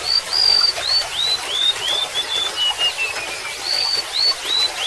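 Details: Golden-bellied gerygone pours out a cascade of sweet upslurred whistles, each a little lower than the last, and restarts high near the end; gentle water babble throughout.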